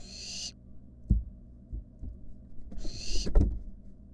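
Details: Harsh hissing screeches from a wild barn owl in a nest box with its siblings, one at the start and one about three seconds later, separated by knocks and clatter.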